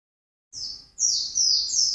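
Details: White-eye singing intensely in the gacor ngalas style: high, thin descending slurred notes, then a louder run of sweeping phrases.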